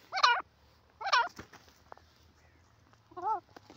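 A francolin gives two loud, harsh, grating notes about a second apart, then after a pause a lower, wavering nasal note. Faint background hiss.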